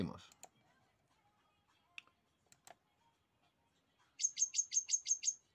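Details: European goldfinch, a wild field goldfinch, singing a phrase that ends in its finishing run: seven bright, high, evenly spaced notes in a quick run. A brief human voice and scattered clicks come before it.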